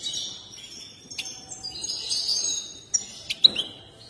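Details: Agitated European goldfinch, one favoured by breeders, singing during its dance: a continuous thin, tinkling twitter of high notes, ending in a few sharp chips.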